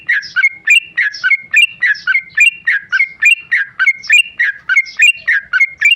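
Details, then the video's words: Ropel-style singing from a tame male sooty-headed bulbul: steady, rhythmic burry whistled phrases, each with a sharp upward flick, repeated about three times a second throughout. "Trucuk jinak ropel"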